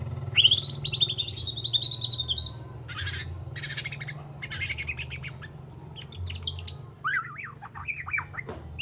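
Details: Juvenile white-rumped shama, three months old, rehearsing imitated phrases with harsh scratchy notes; a high whistled buzz, then noisy rasping bursts and scattered sharp chips and slurs.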